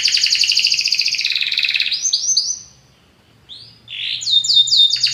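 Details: Belgian canary singing a powerful song: fast buzzy trills around the upper range, then a pause and a series of rapid repeated descending sweeps.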